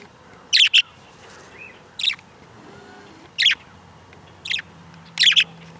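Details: Pet budgerigar outdoors calling: harsh, scratchy chirps given singly or in quick doubled pairs, five bursts spaced about one to one and a half seconds apart, over a faint low steady hum.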